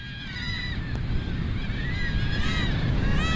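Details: Peruvian gull giving short arched, nasal calls that rise and fall, several in quick succession with gaps, over a heavy steady low rumble.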